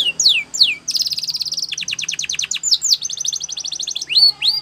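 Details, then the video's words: Training song of a canary in Spanish Timbrado style, mixing downward whistled slurs with long fast trills of clipped repeated notes, ending in two sweeping whistles. "Your Canary Will Sing A Lot With This Voice"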